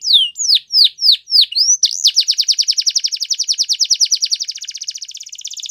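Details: Canary song: several loud down-slurred whistled notes, then a long accelerating rolling trill of rapid repeated syllables.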